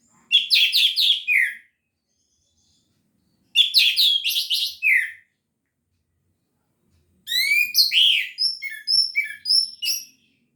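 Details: An orange-headed thrush in full gacor teler song gives three loud, rapid bursts of complex chattering and whistled notes. Short silent gaps separate the bursts, and the last one is longer and more varied.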